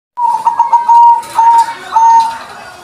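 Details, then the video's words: Zebra dove, a white-barred bird in full song, giving a rippling coo of quick stuttered notes followed by two longer, steady, hollow coos at a low, even pitch. "putih lurik gacor"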